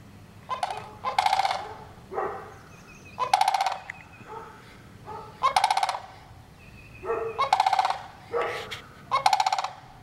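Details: A run of sandhill crane calling: harsh, pulsed, rolling rattles repeated every second or two, mixed with shorter, softer croaking notes over ten seconds.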